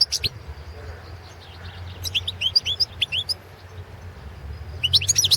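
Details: European goldfinch, Balkan subspecies Carduelis carduelis balcanica, caged and recorded for a 2017 world song championship in Serbia; scattered high chirps leading into a lively string of bright, slurred twittering notes, ending with a dense burst of tinkling calls.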